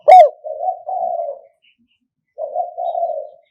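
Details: Spotted dove calling in the '1 kuk' style ('kham khu kham, khu kom'), a recording played to lure birds, 2022: one sharp ringing note, then two low wavering coos, a pause, and a further two-part coo.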